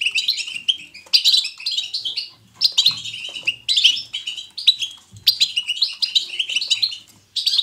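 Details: European goldfinch giving lively batbata twittering, chosen to spur other goldfinches into song. Bursts of chattering, tinkling phrases a second or two long are separated by brief pauses, with faint low knocks in between.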